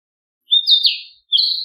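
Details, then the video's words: Narcissus flycatcher song: a bright whistled opening note, a tumbling warbled run, and after a pause another strong whistled phrase cut off at the end; no background noise. "キビタキの美しい囀り02 癒しの鳴き声"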